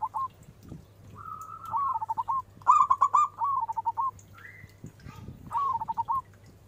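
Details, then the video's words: Zebra dove, local bird with a big voice, used to prompt other doves to answer. Repeated phrases of drawn coos breaking into quick bubbling notes, plus a brief rising whistle from another bird. Low hum and light crackle behind. "Full Suara besar perkutut Cepat respon!! Nyaut..."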